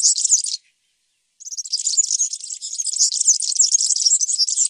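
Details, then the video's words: European serin song: a short burst of high, glittering twitter, a pause of under a second, then a long, rapid, jangling run of tiny squeaky notes. No other sounds. "تغريد طائر السمريس/ البسبوس (الزخنين) chant du serin cini, el verdecillo"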